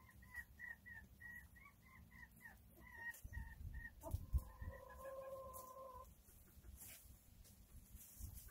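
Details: Chickens enjoying their day: a run of short, high peeps repeated quickly for about three seconds, then a long steady, slightly wavering tone held for two seconds, over low background rumble.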